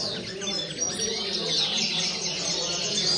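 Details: Twittering song of a common linnet, a quick jumble of high chirps and short whistled notes running without pause over constant hiss.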